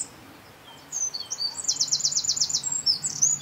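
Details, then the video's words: Song of a Eurasian wren recorded at N49°52' E18°11', bursting in after a second of near silence: very high, hurried warbles with a dry rattling trill in the middle, then sharp piercing notes, over soft low rumble. "Troglodytes troglodytes - Střízlík obecný"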